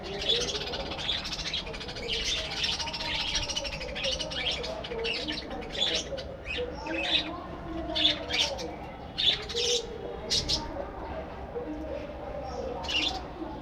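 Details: Budgerigars in a breeding colony aviary chatter steadily. Bursts of sharp, scratchy chirps and warbles sound about once a second, with low, steady humming tones underneath.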